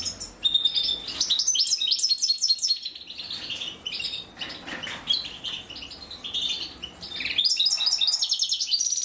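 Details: Goldfinch chicks begging while the female feeds them: lively runs of high, rapid chirps and trills, a quieter middle stretch, then a loud burst of twittering at the end.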